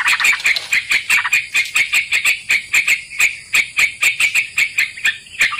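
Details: Bulbul lure sound for catching sooty-headed bulbuls: rapid, rasping chatter with crisp clicks, notes following in an even rhythm of about three to four per second throughout, with a thin steady whine in the background.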